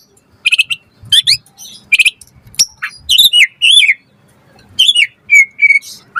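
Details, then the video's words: White-rumped shama singing energetically, used as a lure and tutor recording for other shamas: bright high chirps and quick whistled notes in short bursts, then a buzzy sustained note and a rising slurred whistle near the end. "Pancingan Murai Batu Gacor Auto NYAUT cepat Bunyi buat Masteran Burung Murai agar Gacor Full Isian"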